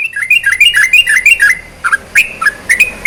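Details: Sooty-headed bulbul song for stimulating lazy bulbuls: fast, chattering whistled phrases with wavering pitch, then a few spaced, drooping and upslurred notes near the end.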